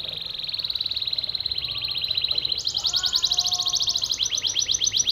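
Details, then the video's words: Yellow canary singing in the short-circuit style known as konslet: a fast, evenly repeated trill at steady high pitch that jumps abruptly to a higher trill, then drops partway, with faint room noise. "Kenari kuning Konslet"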